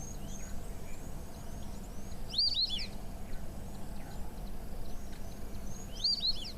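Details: White-faced whistling duck call, played by a safari guide as an example. On the Zambezi River these ducks give it while flying past in huge groups. Two short bursts of high, clear whistled notes about four seconds apart, over low rumble and faint background chirps.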